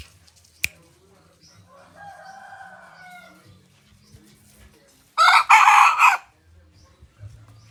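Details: Decoy junglefowl rooster of pradu plumage colour, kept in rural village life, gives one loud, harsh, rasping crow lasting about a second near the end, after a sharp click and faint drawn-out tonal notes in an otherwise quiet setting.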